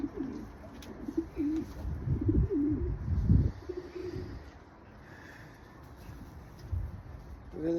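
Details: A breeding pair of pigeons (kabootar) cooing: several quick, bubbling low coos with soft thumps in the first half, fading to quiet background noise before a final short coo.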